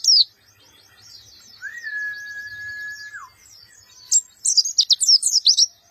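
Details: A harsh, short-burst song from a black-eyed white-eye: after soft high chatter and a long, steady, lower whistle-like tone that drops at its end, a quick run of loud, sharp, high chirps follows.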